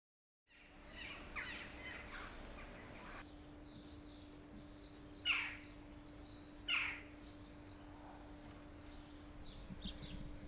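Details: Grey wagtail chicks, four of them, being fed by a busy parent pair at a nest in a walled garden; a high, thin buzzy trill runs for about three seconds, with short sharp chirps before it and a steady low hum behind.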